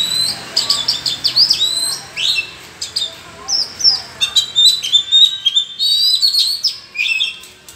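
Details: Oriental magpie-robins dueling in song in the forest: rapid, loud, high phrases of whistles and sharp chips follow one another almost without a break, with rising and falling slurs.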